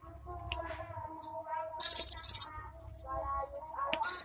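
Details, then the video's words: Cinereous tit singing, giving a short burst of very high, rapid buzzy trill pulses, then a second burst beginning at the end, over fainter lower warbling notes and a soft low rumble. "BURUNG GELATIK BATU ISIAN MEWAH"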